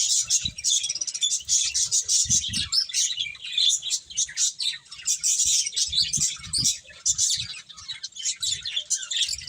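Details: Several finches chirping while eating: dense, continuous high-pitched chirps and tweets overlapping throughout, with occasional low thumps and pecking sounds beneath.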